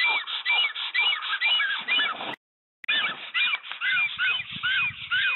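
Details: Nest fight between black storks near Łódź, Poland, 15 April 2020: a new female successfully attacks and the male yields. Loud, nasal, goose-like honks with upswept whistled tones repeat steadily, broken by one short silent gap.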